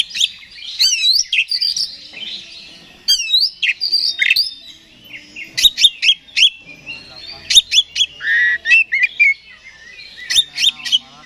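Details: Extended oriental magpie-robin (kacer) song, used to make another bird aggressive; varied whistled phrases, quick trills and clusters of sharp chirps, loud and high-pitched, with short gaps between bursts.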